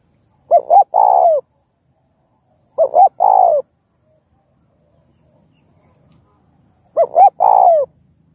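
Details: Cooing of a spotted dove, played to stimulate other doves, with the thúc, gù and gáy gọi patterns. Three evenly spaced phrases: two brief rising notes, then a longer mellow coo that dips at the end, with faint low hum between.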